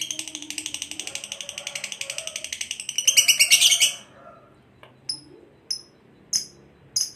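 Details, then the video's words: Kept lovebird used for training pet birds: a fast, scratchy chattering run of rapid pulses building louder, then breaking into short, sharp, very high squeaks repeated roughly every half second. "Suara Lovebird Full Bass"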